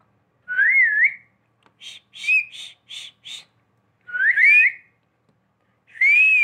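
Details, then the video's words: Pet parrot that whistles like a person: wavering, looping whistles alternate with a quick burst of five short, harsher notes. Indoor recording. "मनुष्य जैसी सीटी बजाने वाला मिट्ठू |Parrot whistles|"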